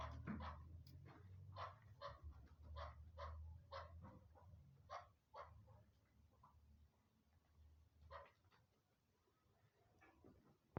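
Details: Chukar partridge calling: a quick run of harsh, clipped chuck notes for about five seconds, a pause, then a shorter burst of similar notes, over a steady low hum.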